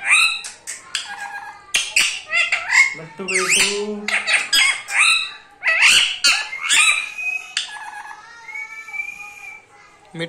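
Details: Ringneck parrot kept as a pet, competing in a 'mittu mittu' talking contest, gives dense harsh squawks and chattering, voice-like bursts mixed with a person speaking Hindi, with a few long thin whistled notes near the end.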